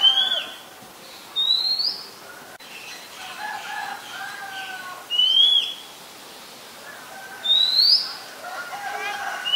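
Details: Oriental magpie-robin, Ubon Ratchathani, Thailand, 18 April 2022, Nikon P1000 recording: a loud, rising whistled phrase repeated about every two to three seconds, with quieter low warbles and chatter in between.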